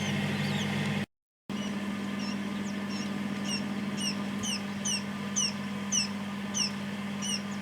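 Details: Newly hatched quail chicks inside a homemade incubator built in a fridge freezer, the first three having appeared; thin high descending peeps repeat about every half second over a constant low machine hum, after a brief silent gap early on.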